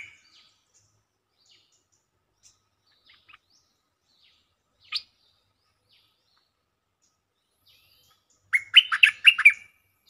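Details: Stripe-throated bulbul lure song from an actively singing bird: isolated faint chirps and one sharp high note, then a rich rapid phrase of about six gurgling, warbled notes near the end.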